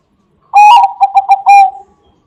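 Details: Zebra dove of the Bangkok type, its song used to lure other doves: one phrase of about one and a half seconds, a warbling first coo followed by a quick run of short, even coos and a longer ending note.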